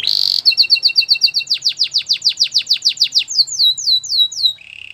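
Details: Canary training song opening with a buzzy burst, then a fast double-note trill, loud rhythmic downsweeps about five per second, slower falling slurs, and a low trill at the end.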